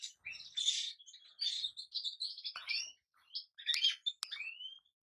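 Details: European goldfinch singing a broken string of liquid twitters, buzzy chirrs and short rising whistles, with brief gaps between bursts and one clear upward-sliding note near the end.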